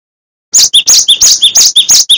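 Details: Master song of a Cinereous tit (glatik watu wingko) for training songbirds. After a half-second of quiet, a quick string of high, sharp two-note phrases repeats about three times a second.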